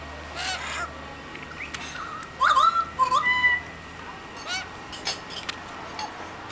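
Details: Unknown bird singing in the Blue Mountains of Australia among eucalyptus trees: short whistled phrases with quick jumps in pitch, then a level held note, alongside scattered faint chirps.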